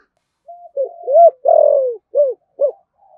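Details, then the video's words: Spotted dove, 'thổ sấm' voice, in rapid cooing: a soft flat opening note, a rising coo, a long loud coo that slides down, then two short arched coos and a faint trailing murmur. "cu gáy thúc gù/ cu gáy thổ sấm thúc gù và gáy gọi"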